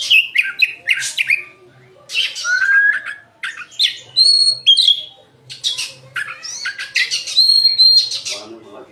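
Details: An oriental magpie-robin pours out varied song phrases, harsh chattering bursts mixed with short pure whistles, separated by brief gaps, with a faint low hum underneath.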